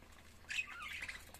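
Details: A lovebird while eating lets out one brief, raspy, high squawk that wavers and trails off, over a quiet low hum.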